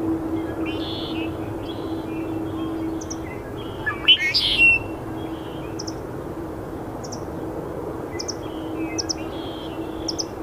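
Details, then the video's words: Juvenile red-winged blackbird at Iona Beach on 22 January 2018, giving a cheerful spring song: thin, high chips about once a second, soft chattering and one harsh buzzy phrase midway, over a steady low hum. "Redwing blackbirds song"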